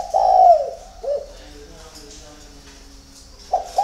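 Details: A spotted dove coos at dawn, one long falling note and a short hooked coo, then a quiet pause before two more brief coos begin.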